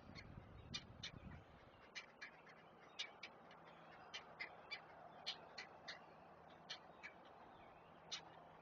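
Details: Great blue heron chicks at a nest being fed, recorded by a live nest camera at Chesapeake: sharp, dry clicking notes, scattered and irregular, a few per second, with a brief low rumble at the start.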